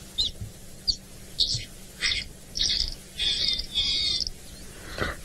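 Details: A lesser striped swallow call played back from a recording beside a river with crocodile and hippos. It is a run of high, squeaky, slightly buzzy notes growing longer and more drawn out, about seven in five seconds, over a faint hum.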